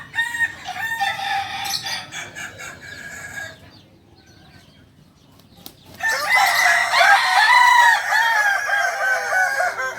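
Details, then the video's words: Rooster of the Kukuak Balenggek breed, a singing village chicken from Solok, West Sumatra, known for its multi-tiered crow; a strained harmonic crow fills the first three seconds, a quiet pause follows, then a second, louder crow of several stepped segments. "Ayam kukuak balenggek ayam asli solok sumbar"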